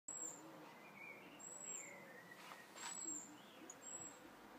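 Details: European robin guarding its nest of four chicks in a hanging basket in a front garden, giving thin, very high whistled notes, short and sharp, about five in under five seconds, with a soft lower warbling behind.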